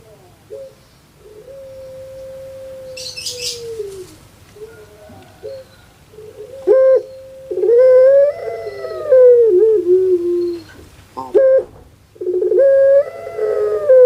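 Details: ['Puter pelung dove kept in Java, Indonesia, voice likened to a crying baby: a long steady coo, then rough stuttered notes rising into sustained wavering coos, repeated with short pauses.']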